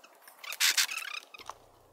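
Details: A Red-breasted Nuthatch gives two or three harsh, raspy bursts in quick succession, the call used while raising its wings to intimidate other small birds like chickadees; faint scratchy ticks around them and a low hum at the end.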